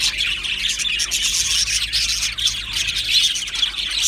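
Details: Aviary colony of Australian budgies chattering together: steady high-pitched twittering and short squeaks from many birds at once.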